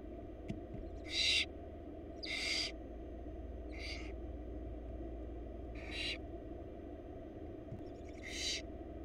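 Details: Florida barn owl chicks being fed by their mother in a wild nest box give five short, hoarse hissing screeches spread irregularly over nine seconds, with faint clicks between them and a low hum behind.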